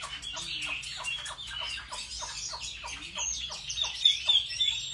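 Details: Chinese hwamei singing in competitive style while being trained at home: a rapid series of harsh, broadband notes, then thin high whistles toward the end.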